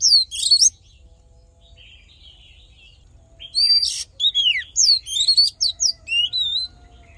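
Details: Fighting song from an Oriental magpie-robin, played to rouse males and train their voice: an opening flurry of sharp high notes, a quiet warbling lull, then a lively stream of varied whistles, sweeps and chattering notes.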